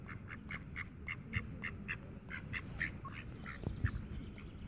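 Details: Tame mallards in Friedrich Ebert Park, Ludwigshafen am Rhein, give a quick series of short, nasal quacks, about four a second, over a steady low rumble of wind or traffic.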